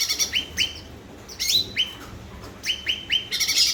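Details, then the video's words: Cucak ranting bulbul in lively song, used to prompt silent birds to sing: bright whistled notes sliding down from high to about mid pitch, repeated in quick pairs, broken by short buzzy high bursts. "pancingan cucak Ranting Macet Bunyi"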